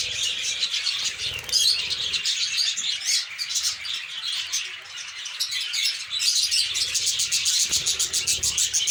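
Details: Colony of lovebirds in breeding season, eggs and chicks present; constant high-pitched twittering and rapid buzzy chirps from numerous birds, swelling louder near the start and end.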